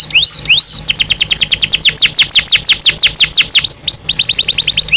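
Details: Belgian canary song used to train and stimulate other canaries. It opens with two rising whistled notes, then a fast run of descending sweeps, and closes on flat, high whistles.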